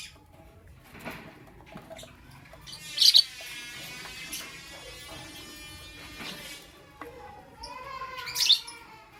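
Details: Lovebird heard in the morning, chattering with soft twitters, then a loud harsh burst followed by a long rasping buzz, and a second loud screech near the end.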